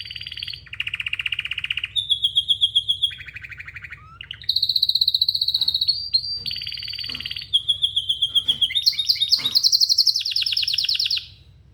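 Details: Pet canary singing indoors, calling for other canaries: a long varied song of rapid rattling trills at different pitches, switching every second or two between buzzy rolls and clear whistled runs, rising to a high fast trill at the end.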